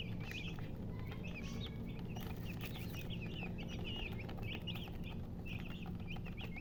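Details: Chickens giving a steady run of short, high, squeaky chirps, several per second throughout, over a constant low rumbling hum.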